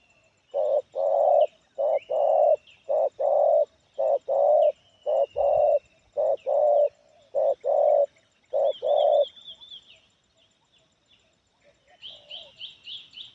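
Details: Spotted dove with a distinctive 'kepala sula' head form, a medium-loud 'kuk 1' singer with a full song: a run of about fourteen low, rich coos in paired and grouped bursts, followed by faint higher chirps from other birds.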